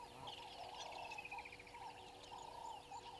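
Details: At Gowrie dam waterhole on Djuma Game Reserve, Sabi Sand Wildtuin, South Africa, a woodland kingfisher in a tree by the dam wall, 07:56, 01/03/22: one falling, rattling trill over a constant buzzing chorus and scattered chirps.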